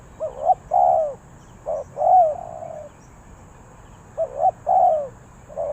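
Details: Spotted dove from Ninh Thuận, Vietnam, calling in the '3 kuk hoi' cooing style: soft low hooting phrases of short notes ending in a longer drawn coo, repeated twice, over faint background hiss.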